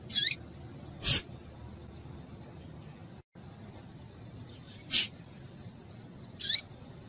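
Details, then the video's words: Female double-collared seedeater calling to stimulate males: three short, high, downslurred notes spaced irregularly, alternating with two sharp broadband clicks over a faint steady hiss. "fêmea de coleiro quente para esquentar coleiro"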